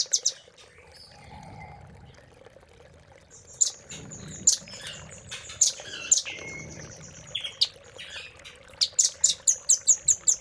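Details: Spaced, piercing high chips from a velvet-fronted nuthatch, used as master song for caged birds, ending in a short series of evenly repeated sharp notes.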